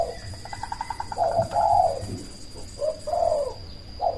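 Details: Zebra dove of the black cemani type, a loud, constant caller, used as a lure to provoke other doves to answer and to raise breeding drive: a quick stuttering run of short notes, then long, rounded coos with pauses, over a steady thin high whine.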